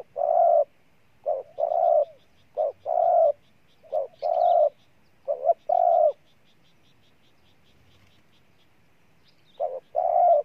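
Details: Spotted dove recorded in Ninh Thuận, Vietnam, giving a run of husky coos, short lead notes then longer drawn-out coos, followed by a long silence before the pattern resumes; faint high chirping in the distance.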